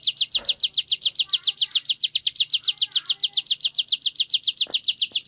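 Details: Sunda warbler in training, singing a fast unbroken trill of sharp high notes, about six per second and very even, continuing throughout with faint soft chirps beneath.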